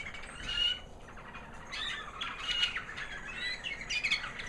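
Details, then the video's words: A proven 2009 American Singer canary hen, white, singing after the molt, gives bright, rapid twittering phrases with buzzy trills, broken by short pauses. "Singing canary FEMALE"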